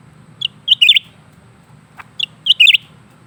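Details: Lesser green leafbird kept in a cage, singing continuously: two bursts of bright chirped notes, each a quick run of three or four twittering syllables, about two seconds apart, over a steady low background hum.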